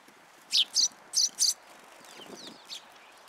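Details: Sparrows coming to a raised platform for food at a Tenmangu shrine, 14 February 2023; four sharp, high chirps in quick succession, then softer, thinner chirps trailing off amid a quiet background hum.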